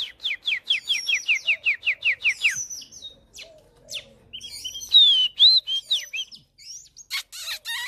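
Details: Oriental magpie-robin kept as a lure to stir fighting birds: a rapid string of a dozen sharp, falling notes, then a softer pause and a varied burst of looping whistles and high chatter.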